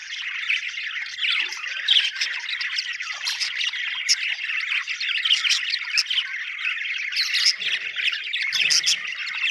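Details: Cheerful budgerigar chatter from several birds: rapid, scratchy warbling mixed with squawks and sharp clicking notes, forming an unbroken chorus.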